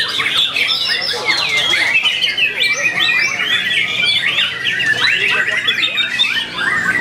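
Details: White-rumped shama singing in the main shama class of a songbird contest gathering on 9 February 2020: a continuous, dense run of varied sliding whistles and harsh chattering phrases. Other birds sing over it throughout.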